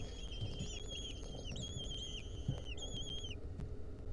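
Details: Wild lesser kestrel nestlings, a centipede clinging to them, 2023. Long, thin, steady-pitched calls are drawn out in three overlapping series, each ending with a downward slur, over a low rumbling background.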